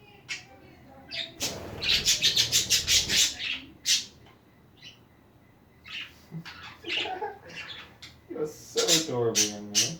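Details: Pet budgerigars chattering: bursts of buzzy, scratchy warbles and rapid clicking notes, loud clusters separated by quieter pauses, with a few lower, voice-like harmonic sounds near the end.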